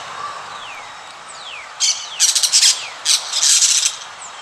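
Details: Parrot calling in a forest: a few harsh, buzzy squawks in short bursts, with thin descending whistles from another bird faintly behind them.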